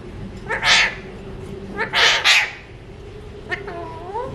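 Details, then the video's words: Alexandrine parakeet, a mutation, talking while eating seeds: a few short harsh speech-like syllables at irregular spacing, then a thin rising whistled glide near the end, in a quiet room. "Parrots talking and eating seeds | Alexandrine Talking Mutation | non stop talking parrot"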